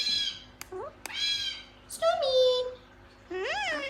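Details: A talking gang-gang cockatoo produces short word-like utterances, with clipped clicks, a sliding drawn-out syllable and an upward-swooping final phrase, all rich and harmonic.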